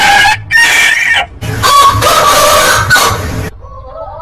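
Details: Roosters of heritage chicken breeds crow in overlapping, harsh, noisy bursts, the crows running together with little gap and ending in quieter clucking.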